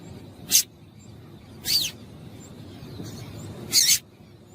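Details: A female Double-collared Seedeater gives three short, high, sharp call notes spaced one to two seconds apart, used to stir a male to sing, against a faint low background hum.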